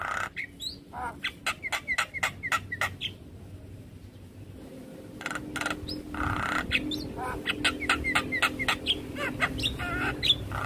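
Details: Javan myna in a stressed response to another Javan myna's call: a run of evenly spaced dry clicks with short whistled notes, a brief lull, then denser clicks, buzzy notes and squeaky whistles over a low hum.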